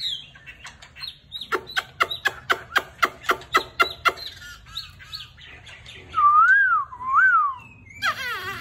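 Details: Chinese hwamei singing in fanned display after its moult, first a fast burst of about a dozen sharp repeated notes, then loud, slow, rising and falling whistled slurs, ending in a buzzy warble.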